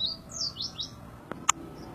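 A white-eye sings a quick run of high, thin twittering notes that sweep up and down, followed by two sharp clicks.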